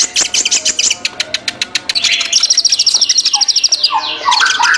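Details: Ninja sunbird in lively song: a fast series of sharp, high ticks about three per second, then a dense, very high twittering trill and a few lower whistled slurs near the end.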